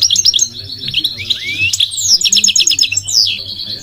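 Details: Goldfinch singing loudly, probably caged: a fast run of bright, high twittering notes, buzzy trills and short rising and falling whistles, delivered without pause, with a faint low hum beneath.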